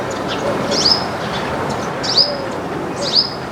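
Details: A backyard flock of baya weavers eating grains; three clear, high, upward-flicking chirps about a second apart stand out above a steady hiss of background noise.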